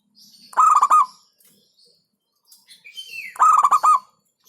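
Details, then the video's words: Two 'hentakan' bursts from a local zebra dove: quick chains of throaty, pulsed coos, separated by near silence. A descending whistle from another bird leads into the second burst. "Hentakan Burung Perkutut LOKAL Suaranya Berkelas"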